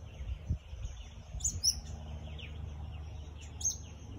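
Elegant parrot giving two brief, thin, high-pitched chirps about two seconds apart over a low background rumble.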